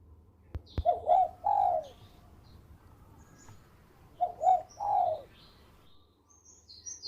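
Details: Local zebra dove singing actively, its melodious song used for luring birds: two phrases of low, mellow cooing notes, each a quick pair of soft coos followed by a longer, drawn-out coo, separated by a quiet pause of about two seconds.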